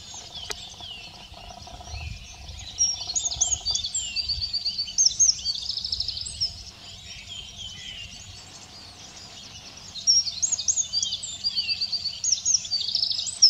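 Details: Eurasian wren at Simunas, 2 April 2017, preening and singing in between; after a quiet opening, two long outbursts of high, rattling trills and piercing twitters, separated by a brief lull around the middle.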